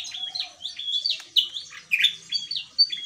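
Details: Short snatch of gacor ngeplong song from a Javan tesia: a quick series of high, clear whistled slurs and sharp chips, several accented notes standing out.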